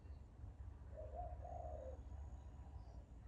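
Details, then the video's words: Bird giving a single low, soft two-part cooing phrase, a short note then a longer hollow one, over a steady low rumble of background noise. "Bird Chirping Sound"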